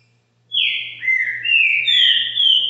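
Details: Green-winged saltator kept at a home in Brazil, singing a rich whistled phrase of linked gliding notes, first falling and then rising, which runs on for two seconds against a low background hum.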